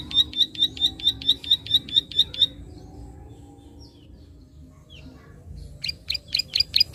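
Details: Prinia clicking call meant to stimulate untrained birds: a run of about ten crisp, high ticks lasting over two seconds, then a quiet pause with faint sounds, then a few more loud clicks near the end.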